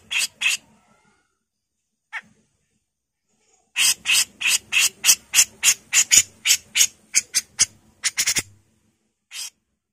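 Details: A female grey-cheeked bulbul gives harsh, grating 'mbesetan' notes. An early pair and a lone note are followed by a long rapid run of about fifteen rough buzzy calls, ending in quicker clipped notes.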